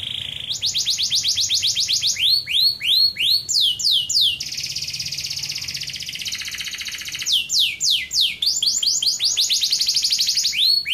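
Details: Canary singing loudly and continuously: fast repeated high upslurred notes in rolling series, interspersed with sustained buzzy trills, the phrases changing every second or two.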